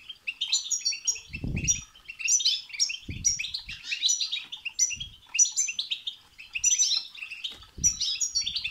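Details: Goldfinch song intended to provoke a goldfinch into song: bursts of fast tinkling chatter and bright whistled notes in repeated phrases, with occasional low thuds.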